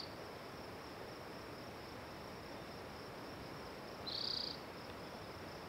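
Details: One high, buzzy spotted towhee trill near four seconds, lasting about half a second, stands out against a constant background hiss.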